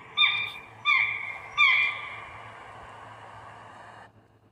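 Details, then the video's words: Eurasian buzzard calling: three loud, harmonic mewing notes about a second apart, each with a sharp onset and slightly falling pitch, then a steady fading tone for about two seconds before silence. "Eurasian buzzard sound effects"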